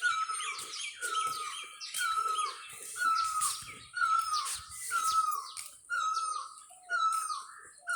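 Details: In Kashmir's mountains, a cuckoo, called a black bird locally, gives steady, downslurred whistled notes roughly every second, over busy high twittering from other birds.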